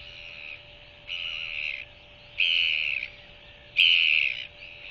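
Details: Newly hatched Royal albatross chick begging while its mother bends over to regurgitate food at its second feeding before night, 21 January 2023, on a nest camera: harsh buzzy bursts about 0.7 seconds long, repeated roughly every 1.3 seconds, over a steady low hum.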